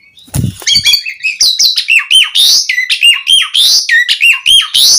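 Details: Javan pied starling singing a long, unbroken run of bright whistled notes that dip and rise in a steady rhythm, used to coax other starlings into song; a low thump opens the passage.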